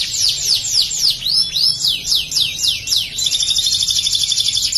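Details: Canary singing ciblek material in a rapid-fire style: a string of high, downward-swooping whistled notes about four per second, then an abrupt switch to a fast, thin, continuous trill.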